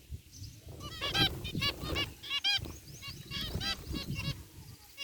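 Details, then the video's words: A group of zebra finches, white and grey, in an outdoor aviary give nasal, toy-trumpet beeps in quick bursts, overlapping and repeating several times a second, over a low background rumble. "Cute Zebra Finches in Aviary | Relaxing Bird Chirping Sounds"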